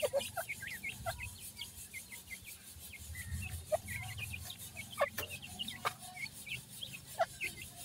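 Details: Grey francolin chicks at feeding time give scattered short, thin chirps and peeps at irregular intervals over a low background hum, with occasional sharp knocks.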